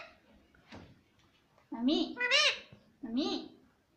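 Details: Pet parrot mimicking human words like "Mummy" and "Mitthu"; after quiet shuffling, a loud nasal phrase of three rising-falling syllables, then one more short syllable, in a quiet indoor setting.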